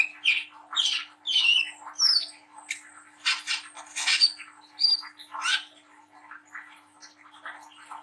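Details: Lively song of a young mottled Brown-throated Sunbird mixing rough 'ngriwik' chatter and melody, used as stimulus for young birds to sing at night. Rapid sharp chirps and squeaky slurred notes in quick bursts, calmer twittering at the end.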